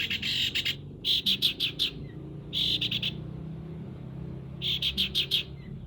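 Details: Long-tailed shrike singing in the sparrow style called greja nyeret: four bursts of rapid, high chattering chirps about a second apart, over a low, rumbling background.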